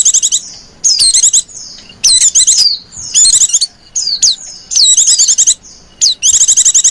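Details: Female white-eye, calls used to lure white-eyes: short clusters of fast high chirps alternating with sharp downward whistled notes, about six bursts separated by brief silences, no other sounds.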